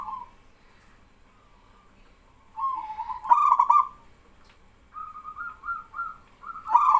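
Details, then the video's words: Local male zebra dove (perkutut) in full song, getting other doves to join in: soft rolling coos, then a loud stuttered phrase around the middle, more trilled coos and a final loud burst, answering birds fainter in between. "BURUNG PERKUTUT LOKAL JANTAN GACOR BIKIN PERKUTUT BAHAN IKUTAN BERSUARA"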